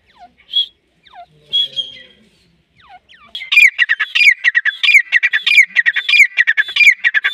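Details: Lure call of a grey francolin used for hunting in Pakistan: scattered thin whistles and squeaks at first, then from about three seconds a loud repeated phrase of a rising squeak and rapid harsh rattling syllables.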